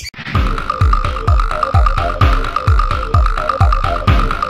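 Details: Electronic dance music with a thumping beat and a sustained synth tone; no animal calls are heard.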